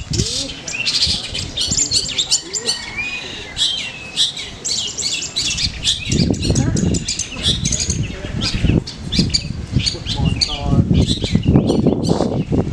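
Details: Long-tailed shrike singing hard at a GMKM practice competition in Manden, delivering its mimicked song material: fast harsh chatter and thin whistled slurs pour out almost without pause, while people talk and move about in the background.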